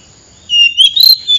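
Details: Oriental magpie-robin call played as a trapping lure: a brief phrase of pure whistles that rise step by step to a high peak, then end on a short held note.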